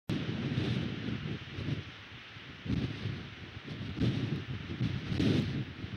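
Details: Gusty wind buffets the microphone outdoors, rising and falling in rumbling surges with rustling, and no animal voice.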